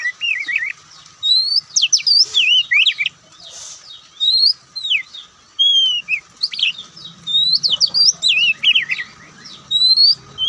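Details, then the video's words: White-breasted Oriental magpie-robin (kacer) in loud, varied ngobra-style song: sweet whistled slurs, trills and sharp chips in rapid succession, short gaps between phrases, faint low background hum. "Kicauan Santai Kacer"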